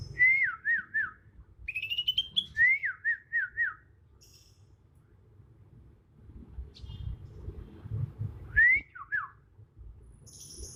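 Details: Wild young Bornean green magpie in Kalimantan, turning adult, giving natural song with no mimicked phrases: clear whistled notes, a rising slur, then a series of four falling looped whistles, a long pause and a final rising-falling phrase.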